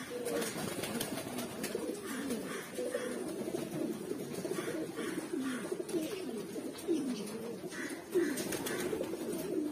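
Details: A long stretch of overlapping, throaty coos and short rising-falling phrases comes from Mookee pigeons in red, black, yellow and silver colour forms, with repeated clicks and scuffling.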